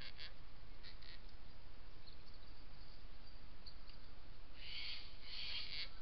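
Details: Adult pair of gang-gang cockatoos drinking at a well on a rural block at Yackandandah, Victoria, 17 January 2017. A few harsh, creaky rasping calls come late, over heavy low wind rumble.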